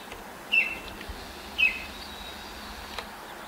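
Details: Baltimore oriole in a neighbour's apple tree at sunrise, 5:40 a.m., 10 May 2024, moving branch to branch while pecking; a pair of short clear whistles a second apart, with soft rustling background noise.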